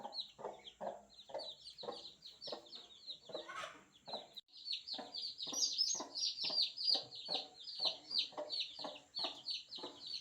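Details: High, sharp cheeps from a group of newborn chicks, rapid and nearly continuous, growing louder in the second half, with repeated low tapping sounds and a short rustle.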